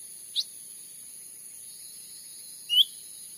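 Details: Cucak ranting in Sumatran forest, recorded as a lure for trapping wild birds: two short, high whistled notes about two seconds apart, the second a slightly longer upward-sliding chirp, against a faint steady background hiss.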